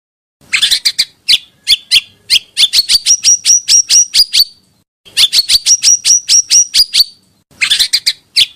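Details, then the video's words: Pancawarna bird, used to lure birds: phrases of sharp clicks that build into a rising run of clear whistled notes, given three times with short silences between. "suara burung pancawarna"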